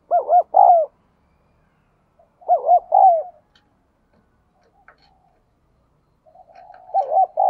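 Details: Spotted dove in the bell-toned 'đồng kim' voice style. Three mellow, hooting coo phrases, each with a quick wavering start and a longer, slurred ending note. The phrases are spaced a few seconds apart against a quiet background.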